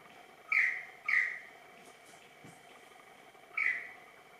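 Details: Superb lyrebird singing during a practice dance, giving three loud, ringing slurred notes. The first two come half a second apart, then a pause of over two seconds before the third, against a constant hissing background.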